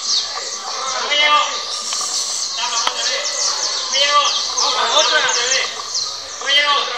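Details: Several saffron finches (Sicalis flaveola, creole canaries) at a 2024 canary singing contest in Valledupar sing at once: bright, rapid chirps and rolling trilled phrases overlapping without pause, with people talking in the background.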